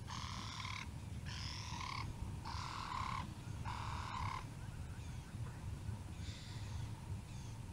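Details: Male Swainson's spurfowl showing off his call at Naledi Cat-EYE on 10 November 2020: loud, harsh, rasping bursts, four in quick succession about a second apart, then a pause and fainter repeats, over a steady low rumble.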